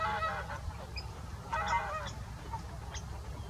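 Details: Greater white-fronted geese calling at Salford Priors gravel pits, 9 January 2021. Overlapping, nasal, yelping calls from several birds come in bursts at the start and again around one and a half seconds, over a constant low background rumble.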